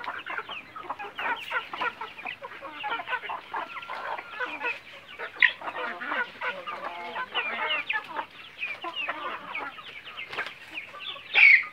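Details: A semi free-range flock of Bangkok chicken breed on a farm: continuous busy clucking and chattering from many birds, with a sharper louder squawk near the end.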